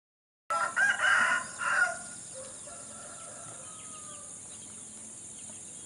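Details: Rooster crow, loud and harsh with broken, rasping harmonics for about a second and a half, then quieter distant tonal crowing from another bird trailing away under steady hiss.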